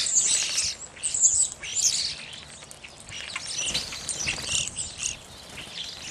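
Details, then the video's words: Flock of evening grosbeaks giving bright, squeaky chirps and short whistles, loudest in the opening two seconds, then trailing into quieter scattered calls. "Evening Grosbeak"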